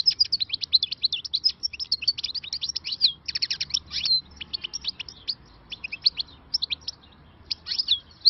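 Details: A newly caught wild European goldfinch sings a fast, tinkling run of high twittering notes and liquid trills, with brief pauses between bursts.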